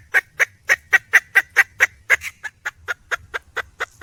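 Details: A wild red junglefowl hen calls for a mate with a steady run of about sixteen short, evenly spaced clucks, roughly four per second, with slightly uneven loudness; no other sounds.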